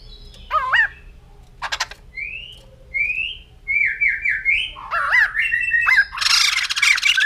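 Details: White-crested laughingthrush, poksay jambul putih: wavering whistles and a clicking burst, then smooth upslurred whistles, a run of rising notes and a harsh noisy chatter at the end.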